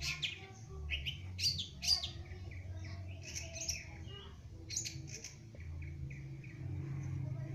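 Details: A young Long-tailed Shrike just beginning to sing gives scratchy, chattering bursts and short high notes at an uneven pace, over a steady low rumble.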